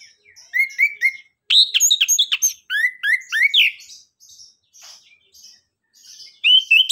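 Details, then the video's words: An Orange-headed thrush sings a rich, rapid, lively song of loud whistled bursts and rising slurs mixed with quick chattering twitters, with only short pauses between phrases. "Anis kembang suara nembak,ngeriwik gacor"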